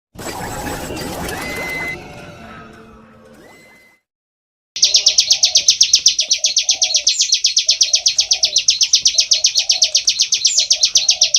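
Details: Bar-winged prinia singing loudly in full ngebren style: after a few seconds of mixed noise and a short whistle, a long run of rapid, high, sharp chipping notes, about eight per second, with soft low murmuring sounds underneath.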